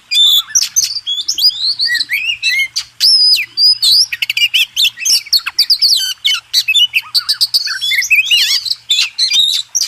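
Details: Oriental magpie-robin (kacer) singing contest-bird master material: a dense, continuous medley of sharp chirps, rising and falling whistles and rapid trills, with a faint low hum in the background.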